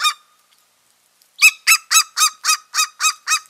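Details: Eagle pair at their nest in mid-March; after one note and a pause, a loud run of eight yelping, barking notes repeated about four times a second.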